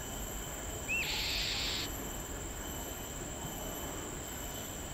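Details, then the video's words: An Oriental magpie-robin (Copsychus saularis) gives a single short upswept whistle, then a harsh, hissing rasp lasting under a second, over a steady high insect-like hum and faint background noise. "Oriental magpie-robin (Copsychus saularis) serenading with its call"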